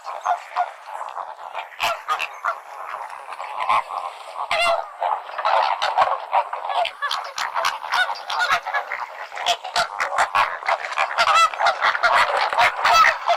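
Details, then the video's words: Dense flamingo flock chorus, a continuous babble of nasal honking calls with frequent short loud notes over thirteen seconds. "FLAMINGO SOUND"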